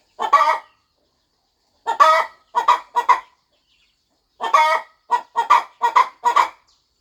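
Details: Mother hen on a quiet farm, settling over her nest and clucking softly as she gets ready to hatch her eggs; raspy, harmonic clucks arrive in two bursts: a single cluck, then a quick run of three, then one and four more, with a silent background.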